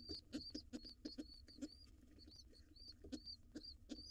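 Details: Nestling pigeon, wild, joining its father late for breakfast in a nest box: short, slightly wavering high squeaks spaced about a third of a second apart, mixed with dull taps and rustling.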